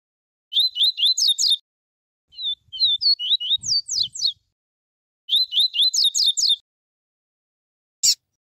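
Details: Singing warm-up of a Double-collared seedeater in pure tuí tuí and viviti tel tel styles: two bursts of rapid, evenly repeated looping whistles around a slower phrase of sliding, varied notes, with a single sharp click at the end.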